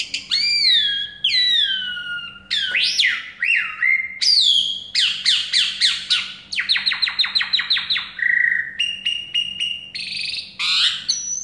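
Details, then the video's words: Energetic song of an Asian pied starling from Semarang, mixing loud clear whistles that swoop up and down, rapid rattling clicks, buzzy trills and metallic notes in a varied continuous stream. "KING JALAK SUREN GACOR"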